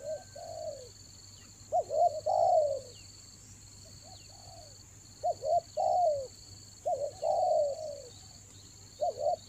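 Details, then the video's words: Rainy-season lure spotted dove, Toba, repeating its phrase three times: clipped paired coos followed by a longer falling coo, about every three seconds, against a persistent shrill background hum. "TEKUKUR PIKAT RAJA ANGGUK"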